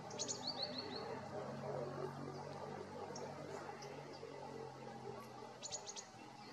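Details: Common kingfisher (Alcedo atthis) at Kreuzhorst near Magdeburg gives thin, shrill high whistles, a quick run at the start and a few sharp piping notes near the end, over a steady low rushing background.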